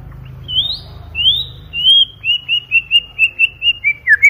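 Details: White-rumped shama giving a loud, clear lure song meant to trigger singing: rising and falling pure whistles, then a quick run of about ten short, even whistled notes at one pitch, ending on a dropping note.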